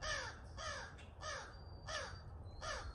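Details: A pair of crows being fed in the morning, very vocal: five harsh, downslurred caws in quick succession, roughly two per second, with faint thin whistles of other birds and low background rumble.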